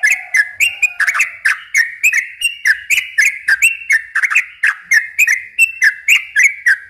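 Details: Yellow-vented bulbul with a fast, extended song used as a lure for young birds. Dense clicky whistled notes come about three or four times a second. A brief, low, level whistle sounds in the first second.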